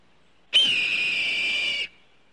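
A red-tailed hawk gives one hoarse, high scream lasting just over a second. It is harsh and rasping, with a slight drop in pitch at the start, against a quiet background.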